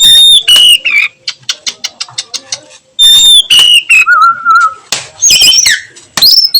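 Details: Afternoon nyiul singing by a kacer (oriental magpie-robin): clear descending whistles followed by a rapid series of ticking clicks, then more whistles, a low level whistle and rising sweeps.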